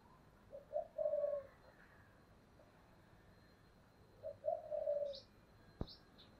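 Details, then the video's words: Decoy spotted dove, 'giọng thổ' voice style: two separate phrases of low, mellow coos, each a short lead-in note and a longer held coo, amid constant hiss with a sharp click and faint high squeaks. "cu gáy giọng thổ Thúc rất căng"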